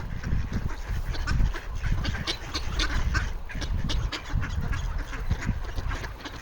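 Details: Ducks noisily asking for food on an iced-over pond in Toronto, Canada, 28 January 2025; a steady run of short, harsh quacking notes from several birds over constant low-pitched wind and handling rumble.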